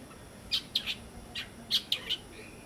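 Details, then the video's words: A Galapagos mockingbird, on Rabida or another Galapagos island, gives short, bright, high chirps in two loose bursts of three or four notes over a soft background hiss. "Galapagos Mockingbirds"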